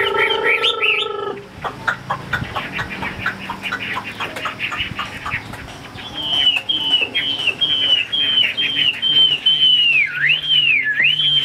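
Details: Chinese hwamei from Vietnam starts with rapid dry chattering notes, then switches to a string of repeated clear whistled notes, ending in deep swooping whistles.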